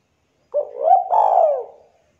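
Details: Local spotted dove singing its lively performing song, used as a lure to make other doves call: one soft, hollow cooing phrase, a short rising note gliding into a long, falling, slightly burry coo.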